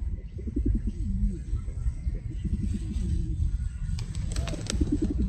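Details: Pigeons coo in deep, rolling, gurgling phrases, followed by a short clatter of flapping wings near the end, over low background rumble.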